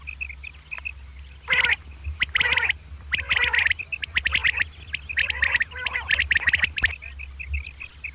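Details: Two common quail, or batair, calling at morning in kirk karkar style: clusters of coarse, rasping bursts alternate with faint, short, high chirps. Constant low-pitched hum.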